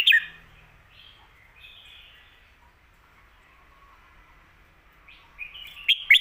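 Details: Red-whiskered bulbul song for teaching birds at home in 'phat kuaitiao' and 'khayao khuat' styles: brief sharp whistled phrases at the start and end, with quiet soft warbling in between.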